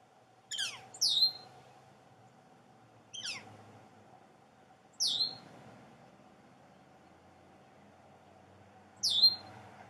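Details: A juvenile Northern Flicker calls actively from its nest hole in a snag at the Entrance Pond, its two siblings possibly already fledged: sharp, high, downslurred calls, sometimes doubled, every few seconds over a steady low hum.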